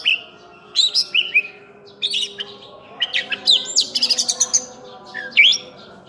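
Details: Full-isian song of an actively singing oriental magpie-robin, locally named cincim pala: scattered whistled and noisy phrases, a rapid rattling series of high notes mid-way, then a final slurred whistle.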